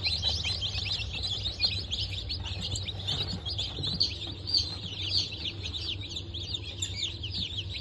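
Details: Newly hatched chicks of Bantam Cochin and Sussex breeds, hatched 3 November 2024, cheep loudly together; shrill descending chirps crowd the whole stretch, with a few louder peeps standing out, beneath which a low mechanical hum continues.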